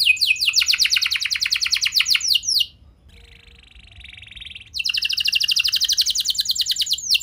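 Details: Canary singing as a lure to get other canaries singing again. A long, loud trill of rapidly repeated high notes gives way to a soft, subdued buzzing roll. Then another bright, fast trill bursts in.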